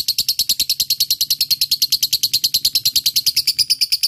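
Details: Fighter lovebird giving steady ngekek, a lure to get lazy lovebirds singing: a regular, rapid series of sharp, shrill chirps, even in pace and loudness throughout, with a faint low hum behind.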